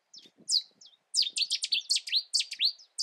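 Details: UK Cetti's warbler delivering its song: a few introductory chips, then a loud, emphatic run of about ten rapid, ringing notes at a quick, steady pace.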